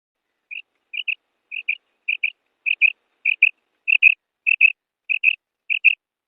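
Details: Female common quail calling, used as a lure for hunting quail in ripe wheat: soft, clipped double notes, evenly repeated about every half second in a clean, quiet recording.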